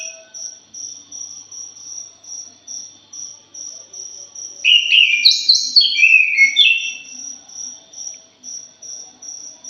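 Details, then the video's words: Punglor jali thrush singing a lure phrase: about two seconds of tumbling, varied whistles stepping up and down, framed by a regular high-pitched insect pulse repeating several times a second. "PANCINGAN PUNGLOR JALI JOSS....\ JALIMIN BRISIK"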